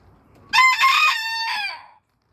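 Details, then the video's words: A pet booted bantam rooster gives one loud, harsh crow of about one and a half seconds: a few choppy opening syllables, then a long held note that fades, in otherwise quiet surroundings. "rooster crowing"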